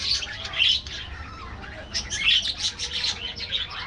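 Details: Colony of aviary budgerigars: quick, loud chirps and warbling bursts, roughly one surge every second or two.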